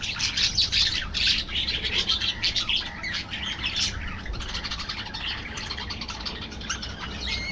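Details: Colony of aviary budgies chattering busily: fast runs of high chirps, squeaks and buzzy notes repeated nearly three times a second, many birds overlapping, loudest in the first seconds.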